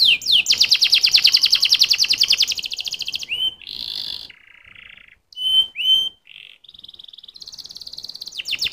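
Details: Canary song that opens with a long, very fast, high buzzing trill lasting over two seconds. Short slurred whistles, a lower rattling roll and clear upswept notes follow, then the song ends on a rapid high trill again.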